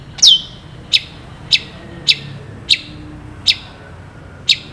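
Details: Actively singing long-tailed shrike, a tutor recording for shrike training: an opening steeply falling whistle, then six crisp sharp ticks repeated at a steady pace of about one every 0.6 seconds over quiet background noise.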